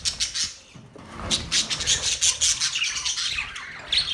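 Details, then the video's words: Parrots chattering in dense, high-pitched chirps and squawks, many overlapping calls in quick succession with short bright bursts throughout. "Parrot chirping sounds"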